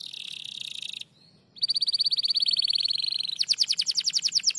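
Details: Canary singing in reply to a lure recording: a steady high trill, a short pause, then a long rapid rattling roll that shifts into faster, higher-pitched repeated notes.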